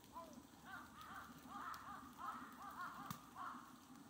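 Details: Steller's sea eagle recorded on 23 March 2022. A quick run of overlapping, arched, barking notes comes about twice per second. There is a sharp click near the end and a low background hum.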